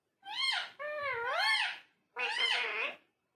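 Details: Parrot voicing two long, speech-like utterances with wavering pitch that rises and falls, separated by a short pause.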